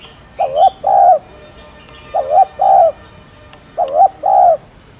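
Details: Three clear coo phrases from a spotted dove, each a wavering first note and a longer level second note, repeated about every one and a half seconds over a quiet background.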